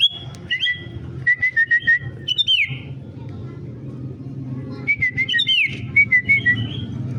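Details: Sooty-headed bulbul singing: clear, bubbly whistled phrases, several notes rising and falling, given in two bursts separated by a short pause, over a low steady rumble of traffic.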